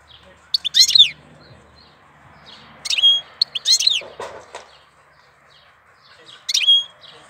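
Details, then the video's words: April song of a goldfinch: repeated quick phrases of tinkling, sliding notes, one ending in a thin held whistle, with a soft rustle midway. "Cântec sticlele luna aprilie"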